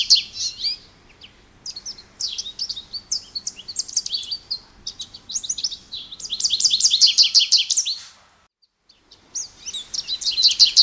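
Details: Song of an American goldfinch: bursts of quick, high chirps and twittering warbles, a dense run of rapid repeated notes near the middle, a brief silence, then the bright twittering resumes.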